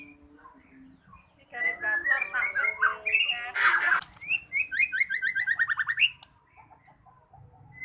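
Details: White-rumped shama (murai batu) song over a noisy background rumble: chattering, rattling phrases and a rough burst, then a rapid series of high rising whistles repeated several times a second.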